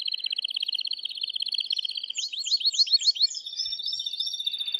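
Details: Male canary in breeding excitement singing to urge the female to mate: a rapid even trill of repeated notes, then a burst of sweeping downward-curving whistles, ending in a thinner high rattling trill.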